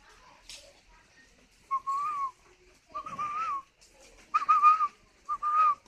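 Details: Captive spotted dove at a breeder's aviary in Ba Vì, Hanoi, Vietnam, cooing while incubating: short steady mid-pitched whistled notes in separate bursts about a second apart, with faint room noise between.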